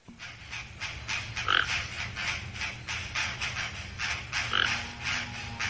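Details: Two loud, rasping toucan croaks, a few seconds apart, rise above a dense, steady chorus of clicking and buzzing sounds and a low hum.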